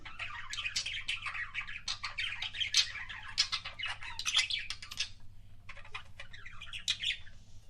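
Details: Pet budgerigar making kissing sounds, a continuous scratchy warble of clicks, chirps and squeaky notes, briefly pausing near the end before resuming, with a steady low hum behind.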